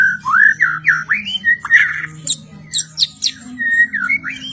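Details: White-rumped shama singing: rich whistled phrases, sliding up and down, with a few high sharp notes in between; low indoor hum underneath.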